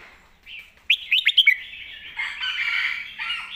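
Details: Red-whiskered bulbul singing a 'golden phrasing' master song, placed clearly. A soft warble opens, then four quick, sharp, up-slurred whistled notes in a burst, followed by a rich, chattering, jumbled warble.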